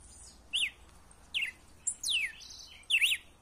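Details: Red-cowled cardinal in wild-style song played to stimulate a captive male to sing: scattered short slurred whistles, some rising, some falling, spaced irregularly with gaps, over a faint low hiss.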